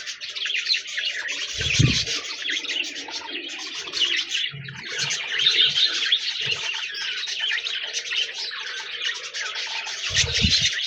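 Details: A long stretch of unbroken budgerigar twittering: rapid overlapping chirps and warbles that rise and fall in loudness, with occasional low bumps.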